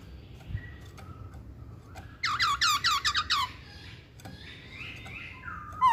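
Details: Masked laughingthrush delivering a burst of about seven loud, quickly repeated rich whistled notes, preceded by faint whistles and followed by softer slurred calls over a low background hum.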